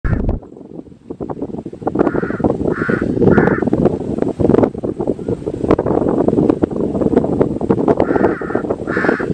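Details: Crow giving a few hoarse caws in pairs and short bursts, partly buried under a loud, steady low rumble of background noise.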